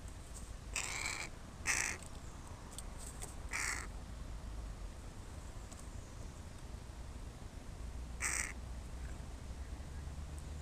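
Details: Crows playing on a person's body as their playground; harsh, hoarse caws, three close together in the first four seconds, then one more after a long pause, over a steady low rumble of wind or distant traffic.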